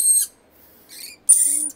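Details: Wild rainbow lorikeets, a family with young visiting and being noisy: two harsh, shrill screeches separated by a short quiet gap, the second longer and buzzier.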